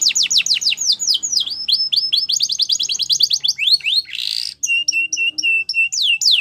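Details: Canary singing a quick chain of falling whistles and overlapping trills, broken by a short harsh buzzy burst, then a series of evenly repeated flat chirps and a final sweep.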